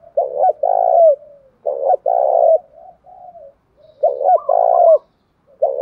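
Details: Low, rounded coos from a spotted dove, a 'giọng đồng' calling voice used to lure wild doves fast and provoke rivals. Three paired phrases, a clipped note followed by a long vibrating coo, with faint quiet notes between them.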